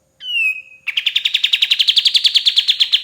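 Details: White-shouldered triller singing, recorded as training material for songbirds: one clear descending whistle followed by a steady, slightly rising rapid trill of repeated buzzy pulses.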